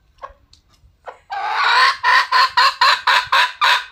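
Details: Red junglefowl calling: a few soft short notes, then a loud harsh series of broad, grating cackles repeated about every third of a second, rising in strength and holding steady to the end.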